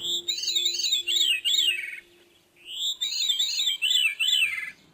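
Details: Veery song, each bird singing its own song to defend territory or attract a mate: two flutey phrases of rolling, downward-spiralling ringing notes separated by a short pause, with a faint steady hum under the first phrase.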